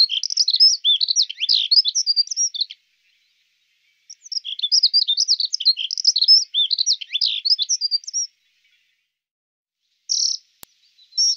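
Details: Song of a male dunnock, given as hurried, tinkling warbles of high thin notes in phrases of about three and four seconds with pauses between, and the start of a third phrase at the end.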